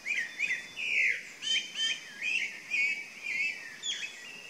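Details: Chalk-browed mockingbird singing clearly: a rapid string of varied, bright slurred phrases, some rising, some falling, repeated about twice a second against faint hiss.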